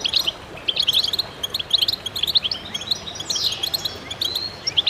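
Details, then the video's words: Goldfinches singing in concert: sparkling, high, clipped chirps in quick clusters, with a prominent down-slurred whistle partway through and continual twittering from several birds. "voices a chorus of goldfinches in concert to stimulate birds"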